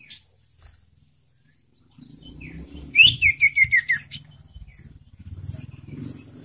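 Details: Young sirtu giving a lure song meant to stimulate caged birds to sing. A bright whistled note is followed by a rapid series of about six descending chirps, with low rumbling background noise throughout.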